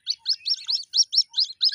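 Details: White-breasted waterhen chicks, caught by hand and later released, give a rapid series of high, thin cheeping peeps, about eight sharp chirps in under two seconds, with no other sounds.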